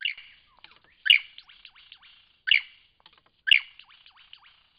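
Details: Loud, sharp lyrebird notes from Cape Liptrap Coastal Park, four strong bursts about a second and a quarter apart, each trailed by soft ticking clicks and brief falling whistles.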